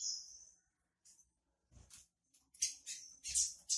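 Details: Female double-collared seedeater, a cage bird, soliciting mating with a "tui tui" call: thin high chips and short bursts in irregular clusters, separated by pauses, with faint low thumps and handling noise.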